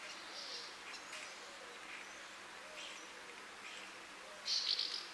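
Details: Common house martin (Delichon u. urbicum) in Lorgues, France, in May 2024: faint, dry, high chirps scattered through the clip, ending in a louder burst of chirrups, over a soft background hiss.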